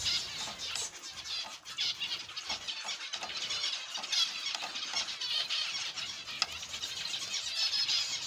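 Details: A dense chorus of zebra finches in an aviary: high, nasal beeps and buzzy chattering phrases overlapping continuously, with a few sharper squeaks standing out.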